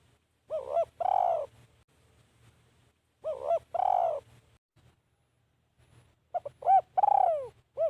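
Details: Decoy spotted dove luring wild birds, repeating its coo phrase three times with pauses of about two seconds, each a soft double note followed by a full, falling coo.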